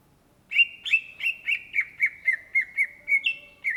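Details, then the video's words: Cucak ijo, the greater green leafbird, in full gacor song: after a brief silence, a steady series of bright, down-slurred whistles at roughly three per second, pitch drifting gently lower before a final higher note. "SUARA BURUNG CUCAK IJO GACOR , TELER"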